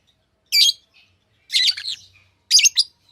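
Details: Shrill, scratchy chirps from tame pet lovebirds arrive as three harsh bursts roughly one second apart, with a faint low hum underneath.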